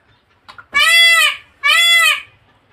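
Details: In a bird garden, a faint short note is followed by two loud, ringing nasal wails from a peacock, each about half a second long, separated by a brief pause.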